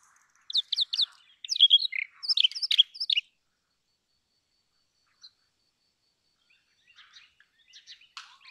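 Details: Brown rock chat delivering a quick, scratchy phrase of high chirps and twitters lasting about three seconds. A long quiet gap follows. Faint, soft chirping comes toward the end.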